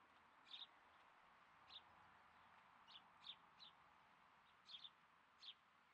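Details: Captive two-year-old female satyr tragopan with her chicks: about eight short, high peeping notes scattered over six seconds, sometimes in quick pairs, over a steady soft hiss.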